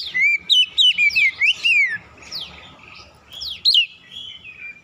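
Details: Oriental magpie-robin singing as a lure to prompt other birds of its kind to answer. Rapid whistled and chattering notes with sharp upward slurs for about two seconds. Quieter, scratchy twittering and one bright phrase follow.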